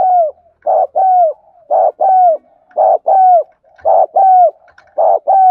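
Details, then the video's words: Loud, close lure spotted dove calling in the thúc gù gáy gọi style: a rhythmic run of paired hooting coos, a short clipped note followed by a longer, down-slurred coo, about once per second on a clean background. "Tiếng Chim Cu Gáy Thúc Gù Gáy Gọi Mới Nhất || Chim Cu Gáy Mồi"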